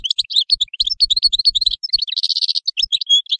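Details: European goldfinch singing a fast, continuous twittering song of high, tinkling, buzzy notes that runs without pause throughout, with a brief harsher buzzy passage near the end.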